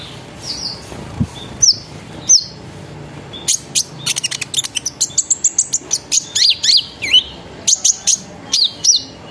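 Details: Sunbird singing as a lure to prompt other birds to sing: sparse high chips at first, then a fast run of sharp repeated notes, rolled trills and thin descending whistles.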